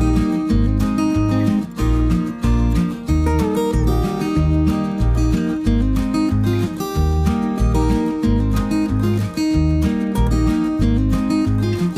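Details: Steady strummed acoustic guitar music with a thumping beat fills the recording, and no animal voice comes through.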